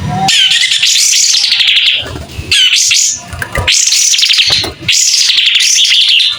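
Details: Clear-voiced white-rumped shama singing with tail spread: four long rich warbling phrases, each starting high and easing down, with brief gaps of low background noise between them.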